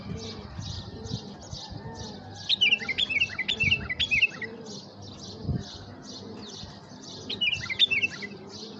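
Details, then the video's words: Tamed bulbul calling to draw in wild bulbuls: a short burst of quick, bright, twisting chirps in the middle, returning briefly near the end, over steady high chattering from other birds and a low rumble. "طياريات نداهات بلبول مطوع لتحريك الخامات القافلات"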